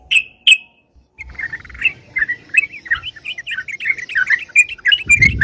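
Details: Sooty-headed bulbul singing energetically, a sound used to lure birds; two sharp high notes, then a steady stream of quick bubbly chirps and short warbled phrases, with a low rumble at the end.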